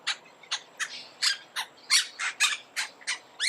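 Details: Monk parakeet giving short, sharp screechy calls spaced roughly a third of a second apart, slightly quieter and thinner than a full chorus, with a faint steady high whine underneath.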